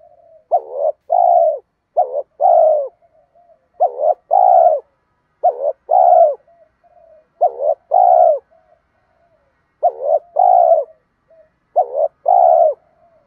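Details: Spotted dove cooing, male and female, to urge lazy caged birds to call; a long series of about eight phrases, each a quick double note then a longer mellow hoot, soft murmurs between.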